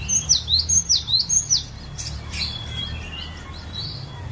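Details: Cinereous tit from a private collection singing a lure song for training other birds: three loud, sharply descending whistled phrases open, followed by softer scattered high notes over light background hiss.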